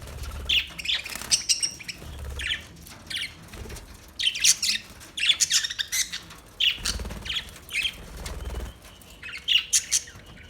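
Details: Budgerigars chattering in irregular clusters of high scratchy chirps and short whistles over about ten seconds, with low rustling and thuds in the background.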